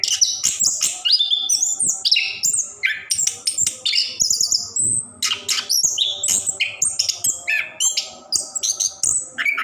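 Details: Orange-headed thrush, caged, singing a continuous ngerol song to encourage other caged birds to sing; dense high-pitched whistles, chirps and trills tumble rapidly with only short pauses.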